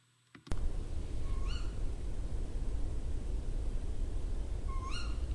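Tawny owl giving two sharp, rising, upslurred calls about three and a half seconds apart, over a steady deep rumble of background noise.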